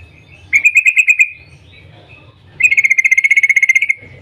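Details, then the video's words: Yellow-vented bulbul giving a morning 'cuk cuk' rapid-fire call meant to get other bulbuls singing: two bursts of fast, evenly pulsed bright chattering notes, the second longer, with a soft low hum between. "Panggilan trucukan gacor Cuk cuk Ropel pagi hari ini SUARA PINTAR menjadikan trucuk lain jadi gacor"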